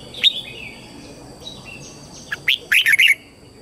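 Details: Red-whiskered bulbul lure bird singing to draw wild birds in to fight; scattered faint chirps, then a loud burst of short, warbled whistled notes near the end over steady background hiss.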